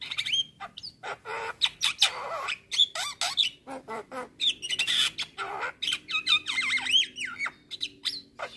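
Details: Javan myna (jalak kebo) singing vigorously as a masteran training song full of varied phrases: harsh squawks, rasping bursts and sharp whistled notes near the top, packed in rapid irregular succession.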